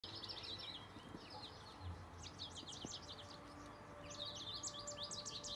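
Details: Several wild birds chattering and singing in early May, rapid high twittering phrases in bursts of a second or two, overlapping calls from more than one bird, with a low steady hum of background noise.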